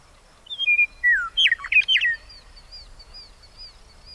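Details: Western meadowlark singing: a few clear descending whistles lead into a quick, tumbling burst of gurgling, flute-like notes lasting about a second and a half, followed by faint, thin high notes in the quiet background.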